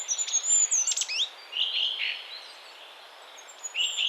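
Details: Goldcrest (Regulus regulus) song in Estonia: very high, thin, rapid notes in short bursts, with quieter twittering in between over a faint hiss.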